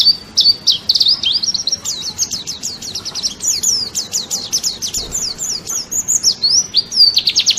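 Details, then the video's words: A white-eye (pleci) singing as masteran training material for cage birds: a brisk, jumbled stream of high, slurred twitters and flicked notes, ending in quick buzzy trills. "Masteran wajib pleci juara nasional"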